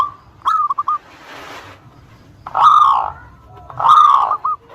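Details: Local zebra dove song used as a lure for rival birds: a few clipped coos followed by two long, loud, drawn-out rolling coos with a brief rustling hiss between.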